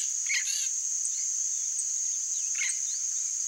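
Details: Yellow-faced parrot (Alipiopsitta xanthops) calling: two short, harsh, harmonic squawk bursts about two seconds apart, set against a loud, steady, high-pitched insect drone.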